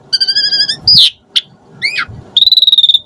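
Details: Asian pied starling song fragment with fill-in variations, used to spur starlings to sing: steady whistled tones with overtones, a sharp sweeping note, curved chirps, then a rapid pulsed trill of about a dozen notes.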